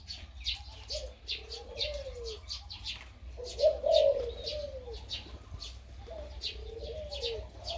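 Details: Deep, drawn-out coo phrases from a big-voiced crossbred dove singing in the two-to-three 'kuk' karam style, each sliding downward at the end, against constant bright chirping from many small birds.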